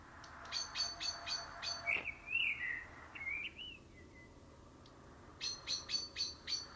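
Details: Common blackbird, known locally as karatavuk or karabakal, singing a low fluty warbled phrase midway, framed by a run of short, sharp high chirps repeated quickly before and after.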